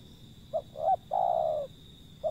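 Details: One call from a wild zebra dove: a short note, an arched note, then a prolonged, softly falling coo. A new short note begins at the end. A thin continuous whine lies in the background.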